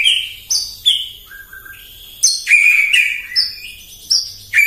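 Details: Energetic morning song of a white-rumped shama used to provoke rivals: clear whistled notes sliding downward, interspersed with sharp clicks and a brief low whistle, in varied phrases.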